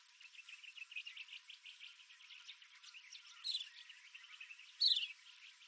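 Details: Morning bird chorus on the rim walk of Wolfe Creek Crater, Kimberley region of Western Australia, GoPro Max 360 recording: soft high twitter in the background, punctuated by two louder, sharply falling whistled notes.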